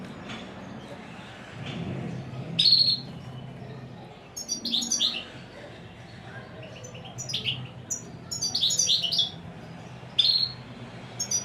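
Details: Royal goldfinch giving short, separate bursts of high twittering notes every one to two seconds, with quiet gaps and a low background hum between phrases.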